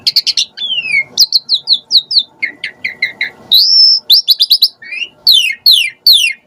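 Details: Asian pied starling call used as a lure to make starlings respond and sing: a fast mix of sharp high chips, falling whistles and buzzy notes in quick bursts, with a faint low hum underneath.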